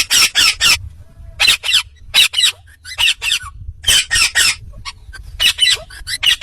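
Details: Indian ringneck parakeet, described as a talking parrot, giving a rapid run of harsh, raspy squawks in clusters of two or three, about four bursts a second with short pauses, over a low background hum.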